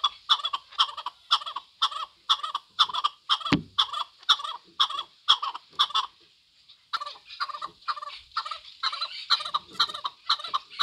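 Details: Steady run of loud chuck-chuck notes from a Chukar partridge, roughly two each second, with a short pause midway and a sharp click before the rhythmic calling resumes.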